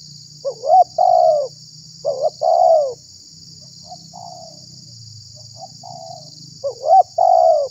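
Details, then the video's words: Spotted dove calling as bait to attract wild doves and stir other doves; three phrases of a quick upswept note and long descending coo, separated by soft faint notes, over constant high hiss. "SUARA BURUNG TEKUKUR UNTUK PIKAT DAN PANCINGAN"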